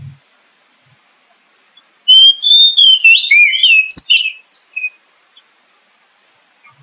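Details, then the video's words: Oriental magpie-robin lure song to get a caged bird singing and boost its spirit: one loud, rich run of sweet whistles, quick slides and high squeaky notes, trailing into a few soft chips. "SUARA PANCINGAN BURUNG KACER AGAR CEPAT BUNYI DAN GACOR"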